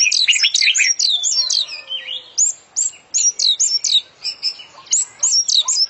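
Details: Oriental magpie-robin (kacer) singing full isian in strong, constant voice: dense streams of high looping, rising-and-falling whistles repeated in quick bursts, crisp and clear.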